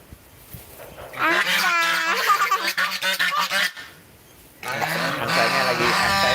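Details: A domestic goose honks loudly and nasally several times in quick succession, then falls quiet; a person's voice follows. Windy day; the unfed goose is said to "sing" when it is windy while searching for food.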